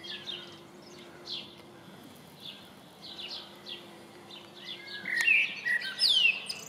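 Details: Common blackbird near a house in Coltness, Wishaw: soft, scattered chirps give way to a clear fluty phrase with quick high sweeping notes near the end, over a low steady mechanical hum.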